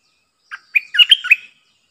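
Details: Caged decoy Streak-eared bulbul used to lure wild birds and train young birds, singing a short bubbling phrase: one lead note, then a rapid run of four or five liquid, warbled notes lasting under a second.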